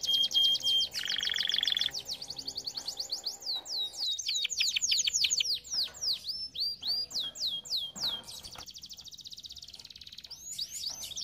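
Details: Canary song for training young canaries: high trill dropping into a lower buzzing roll, then repeated swooping down-slurred notes in rhythmic bursts, with a faint low hum in the background.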